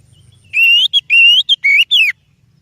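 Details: Lure song of an oriental magpie-robin, meant to draw out other birds: five or six pure, loud whistles, several rising, the last one dropping, delivered in about one and a half seconds.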